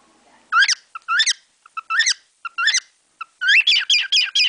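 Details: Pet cockatiel singing new tunes learned from sparrows outside the window. It gives clear, upward-sweeping chirps in separate groups with short pauses, then ends with a fast run of five linked chirps. No other sounds stand out.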